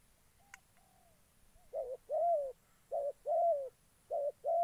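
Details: Spotted dove used as a trapping decoy in Gia Lai, Vietnam. A sharp click and soft low notes come first, then clear alternating short and long hollow coos repeated in pairs.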